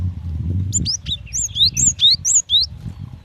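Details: Female cinereous tit calling the male: a rapid string of high, thin chirps and slurred notes, about two per second, over steady low background rumble.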